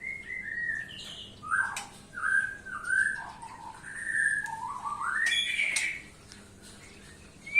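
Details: Quiet white-rumped shama lure song: soft whistled phrases that dip and rise, ending in a sweeping upward whistle, with steady background hiss.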